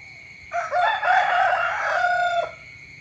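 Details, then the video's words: Rooster crowing in the morning, a single long and loud cock-a-doodle-doo of about two seconds, rich and harmonic, starting after a short quiet moment and ending sharply. "เสียงไก่ขันตอนเช้า เสียงไก่ขันฟังต่อเนื่อง ชัด100%"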